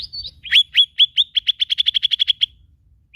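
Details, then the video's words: Lesser green leafbird singing a rapid accelerating run of rising, upswept chirps, starting with a thin whistled note, then about fifteen bright strokes quickening into a trill that stops abruptly. "bunyi khas cak ijo mini"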